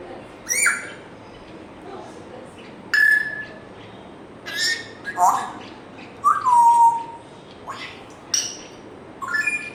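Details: African grey parrot giving a varied stream of short whistled notes, a falling slurred whistle and clipped, speech-like bursts, spaced irregularly.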